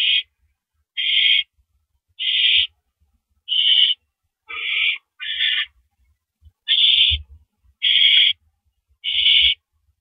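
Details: Owl on a nest at 10:30 PM, April 5, 2012, as a mouse arrives. Nine rough, hissing screeches repeat at an uneven pace, a couple slightly lower and shorter, with faint low thumps.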